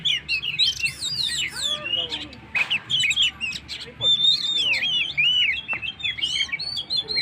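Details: Oriental magpie-robin in lively full song, used to provoke and rouse stressed birds: varied whistled phrases, rising and falling slurs and sharp chirps, high-pitched and continuous with brief pauses.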